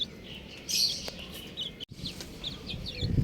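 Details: Several buff chicks give thin, high peeps, first in a loud cluster and then in quicker, softer notes after a short silent break, over low background noise.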